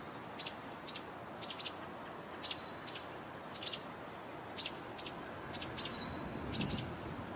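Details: Chipping Sparrows give sharp, high chip notes at an uneven pace, often in quick pairs, with a hawk perched nearby, over a steady low rumble of background noise.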